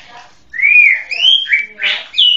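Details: Song of a white-rumped shama, a series of clear whistled slurs rising and falling, with a few rougher, harsher notes near the end.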